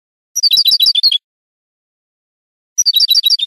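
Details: European goldfinch from a Spanish training recording for cage birds: two fast, evenly rattled trills of bright, liquid notes, each under a second, about two seconds apart.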